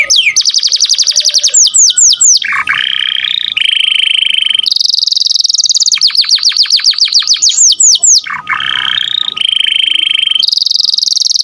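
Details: Canary in full song, used as a master recording for training other songbirds: fast repeated downslurred whistled notes, buzzy trills and rolling tours switching every second or two, loud and continuous with no other sounds.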